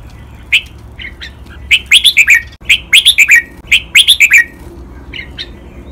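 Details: Red-whiskered bulbul song in the Pa La-u style, recorded for teaching captive birds to copy: repeated rapid phrases of four to five sharp, bright whistled notes, roughly one phrase a second, with soft chirps in between.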